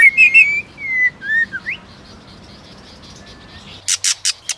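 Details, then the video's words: White-rumped shama, female stimulating male to sing and flick its tail: loud whistled notes, slurred rising and falling phrases, then a burst of harsh rasping clicks. "Chòe lửa kích lửa DÌU BỔI HÓT- TẠCH KÈM MÁI KÍCH TRỐNG đập đuôi kích chòe lửa lên lửa hót đấu"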